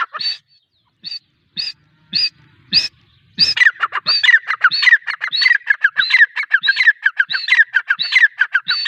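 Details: Female grey francolin starting with a few separate sharp high notes, then breaking into a fast, continuous run of repeated ringing phrases of short notes and rising-falling whistles.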